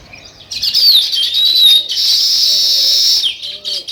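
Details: Weaver-bird sparrows burst into high, buzzy chirping after a quiet start, holding a steady, shrill twitter before it stops abruptly. Faint low notes follow.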